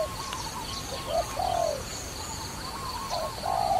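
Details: Dove used for trapping gives a couple of cooing phrases, each a clipped short note then a longer falling coo, separated by a quiet gap, with a constant high hum in the background.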